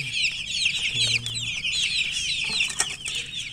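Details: Just-hatched baby chickens chirp loudly and continuously, a dense chorus of high, quick, sliding peeps with barely any pause, plus a short low hum in the background.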